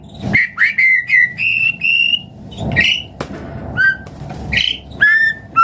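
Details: White-rumped shama song aimed at prompting other birds to sing: a run of steadily rising whistled notes, followed by scattered sharp whistles, clicks and brief clear phrases.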